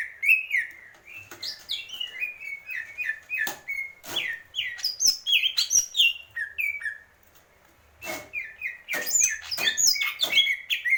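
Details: Greater green leafbird pouring out varied whistles and high squeaky flourishes with repeated sharp knocking clicks, a brief quiet spell midway, then a renewed burst of tumbling notes.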